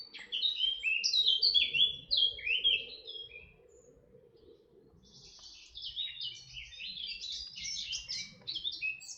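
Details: At Artomaña, Orduña, Bizkaia, Spain, in 2025, a red-backed shrike pours out quick, scratchy, up-and-down chirps in two bursts separated by a short gap, over a faint background hum.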